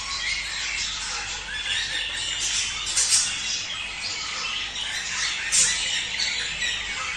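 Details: Budgerigars chattering in a breeding-stimulation recording meant to encourage mating: a dense, continuous warble of high scratchy chirps and squawks from overlapping voices, with two brief louder squeaks near the third and sixth seconds.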